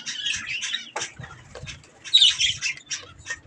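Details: Pet budgerigars calling while eating strawberries: bursts of scratchy chirps and squawks separated by brief pauses, with a short burst of louder chatter near the end.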